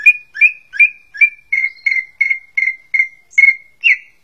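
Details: Cucak ijo, or greater green leafbird, repeats a clear whistled note about three times per second, a dozen times over, each note slightly buzzy and slurred, with faint higher overtones.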